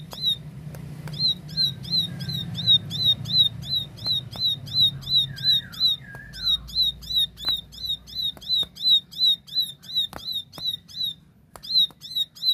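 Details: Ciblek sawah, the plain prinia, delivering clear tembakan song: long rapid strings of piercing, downward-flicked chip notes about three per second, briefly pausing, with a few quieter slurred whistles drifting lower between strings.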